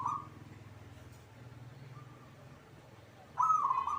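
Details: Singing caged local zebra dove: a brief coo at the start, near silence with low hum, then a loud rapid rolling coo phrase about three seconds later.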